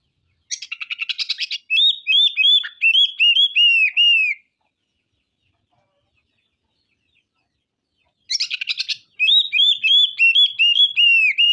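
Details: Oriental magpie-robin (kacer) in full song, showing off its repertoire: a harsh buzzy burst runs into a long series of clear, slurred whistled notes rising and falling, and the whole phrase is then repeated after a pause.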